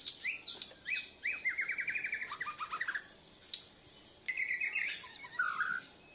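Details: Borneo white-rumped shama, a young learner answering a lure with chest feathers spread, gives rapid even trills of short notes, a pause, then a higher buzzy trill and a lower warbled one.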